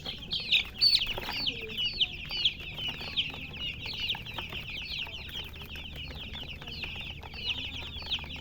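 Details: Baby chickens chirping in a group: many rapid, high, descending peeps overlapping continuously, loudest near the start, with a few sharper calls standing out.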